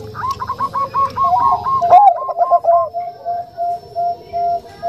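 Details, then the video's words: Bangkok-type zebra doves with a soft voice, a female calling a male with the 'nutut' sound: rapid chains of soft, rolling coos, with two birds overlapping, then a slower run of evenly spaced, steady coo notes. "Perkutut Bangkok Suara Lembut"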